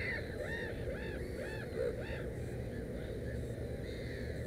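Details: At a nest holding three chicks, a black-headed gull gives a quick run of short, arched, grating notes, then one longer drawn-out call near the end, against a constant low rumbling hum.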